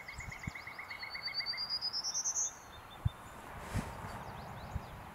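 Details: Prairie warbler singing while preening at Lindsay-Parsons Biodiversity Preserve in May 2021: a quick series of high, buzzy notes climbing steadily in pitch over about a second and a half, after a run of lower repeated notes from another bird.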